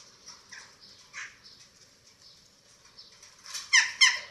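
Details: Eurasian eagle-owl nest in Germany, filmed by webcam on 27 March 2024 while chicks are fed: soft scattered rasps, then two sudden loud, shrill, scratchy screeches near the end.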